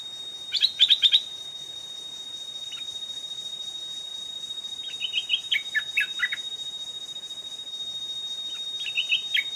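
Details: Stripe-throated bulbul, a fierce old wild bird reacting to a caged decoy at a trap, gives a rapid chattering burst, a lone note, then bubbly warbled phrases of rising and falling whistles, set against a continuous shrill insect hum.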